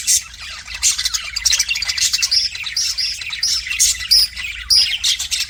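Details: Budgerigar kept as a pet, singing at its mirror reflection; quick chattering chirps and sharp whistled clicks tumble together in a lively high warble over about five seconds.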